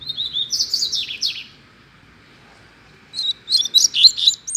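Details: Double-collared seedeater at liberty in a neighbourhood in Brazil delivers two fast, high-pitched phrases of sweet whistled and slurred notes separated by about two seconds of silence.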